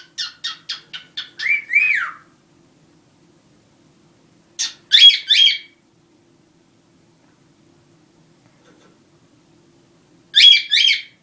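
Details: Indoor pet cockatiels, one black and one white: a quick burst of scratchy squawks rising into a whistled upslurred note, then long silence, two short paired harsh calls, more quiet, and a final double squawk; room otherwise still.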